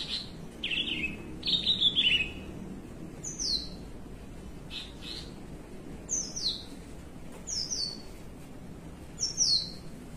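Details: Caged Javan bushlark, relaxed, in 'melung panjang' song: a couple of warbled phrases followed by widely spaced, high descending whistles repeated roughly every one to two seconds, over steady low background noise.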